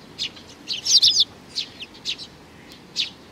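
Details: Young sparrow, June 2019: a loud cluster of squeaky, wavering high chirps around the one-second mark, followed by a few single sharp chirps spaced roughly half a second apart.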